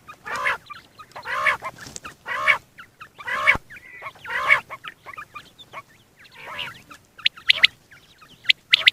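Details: A single male quail, recorded as a morning and night call used in quail hunting, gives harsh, buzzy, arched calls about once a second, then breaks into shorter, higher, scratchier notes; no other sounds stand out.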